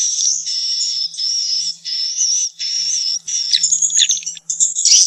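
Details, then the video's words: Swiftlet sound played to attract swiftlets to nest houses: long high wavering twitters in steady phrases about half a second each, then rougher chirps and chatter toward the end, faint low hum beneath. "suara burung walet untuk pemula Usaha sarang walet"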